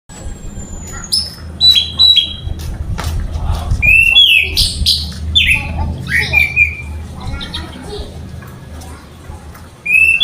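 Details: Caged orange-headed thrush singing energetically: a rapid, varied run of high whistled slurs, sharp downward notes and short buzzy phrases, with a steady low hum underneath.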